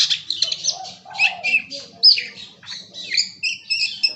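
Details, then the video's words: Magpie-robin (kacer) singing in bongkar isian style, unloading its learned repertoire: rapid, varied high chirps, whistles and trills in short bursts, with a rising whistled note midway; other birds' voices mixed in faintly. "Suara Burung KACER bongkar ISIAN"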